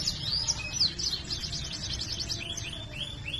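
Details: Canary in full gacor song with ngerol rolls: bright slurred sweeps quickly merge into a dense rolled trill, followed by a few softer descending notes; low-pitched background rumble.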